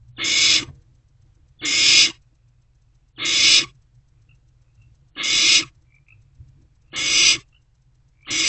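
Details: Barn owl owlet in a nest box at night, 1:22 to 1:30 am on 16 March 2024, swallowing a newly delivered rodent; harsh broadband hissing screeches of about half a second, repeated roughly every one and a half to two seconds, six bursts.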